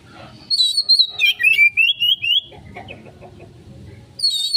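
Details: Kacer, the Oriental magpie-robin, giving konslet-style lure song: high thin whistles sliding into a rapid string of rising and falling warbled notes, about three per second, then a short quiet stretch before a high whistle returns.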